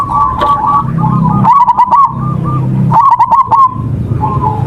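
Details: Tutor recording of a local zebra dove, meant to draw other doves into song: quick bubbling coo phrases repeated at an even pitch, cut by two clusters of sharp ticking clicks, over a low rumble.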